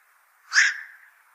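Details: Single black-crowned night heron call, a loud hoarse quok bark that bursts out suddenly and trails off within half a second, against a faint steady background hum.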